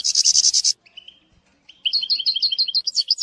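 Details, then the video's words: European goldfinch heard in a training recording for a young bird: a short harsh buzzy rattle, a thin drawn-out note, then a run of rhythmic, repeated high twittering notes. "#chantchardonneret ecolage chardonneret"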